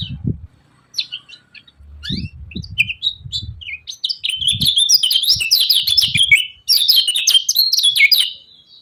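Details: Kecial kuning, or lemon-bellied white-eye, in 'ciak ciak' style to stir rivals into singing: scattered high chirps at first, then a long run of fast, tumbling twittered notes, with soft low knocks in the background.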